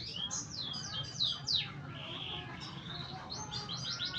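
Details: Young canary learning to sing, a quiet, rambling string of high, thin downslurred whistles and short chirps, loosely repeated with uneven spacing and a few sustained notes, over faint low background hum.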